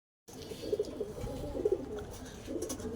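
Pigeons give low, soft, throaty coos in short rolling bursts, about one a second.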